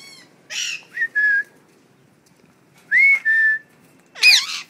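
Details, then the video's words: Home-kept talking parrots mix raspy bursts with clear level whistles, two drawn-out steady tones each preceded by a harsh note, ending in a loud noisy squawk. "Talking parrots"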